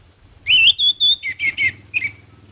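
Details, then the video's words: Orange-headed thrush in full song: a rising whistled swoop, two sustained high pure whistles, then three rich slurred notes dropping lower and a final short twitter, with faint low hum behind. "Anis merah gacor Mendongkrak emosi"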